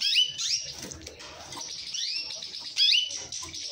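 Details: Song of an orange mosaic canary: rapid high rising slurs and a continuous thin trill, ending in a sharp bright whistled flourish, with soft scratchy sounds in the background.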